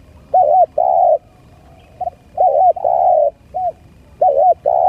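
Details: Spotted dove coos used to lure birds: doubled arched notes alternate with longer level hooting notes in loud irregular bursts, short pauses between phrases, little background noise.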